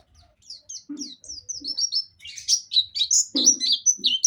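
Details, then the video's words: Pleci Dakun, a white-eye from Pacitan, in a nembak song with mantenan and zipper witwit notes. Thin whistled slurs open the phrase, then it builds into louder, rapid chirps repeated about four per second. Faint low knocks sit underneath. "Pleci Dakun pacitan nembak mantenan&zipper witwit"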